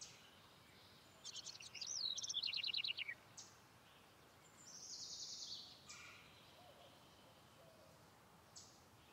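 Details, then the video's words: House wren giving one fast chattering phrase that falls into a rapid trill, followed by a separate high buzzy trill and a few faint chirps, all over steady background hiss. "House Wren (Troglodytes aedon)"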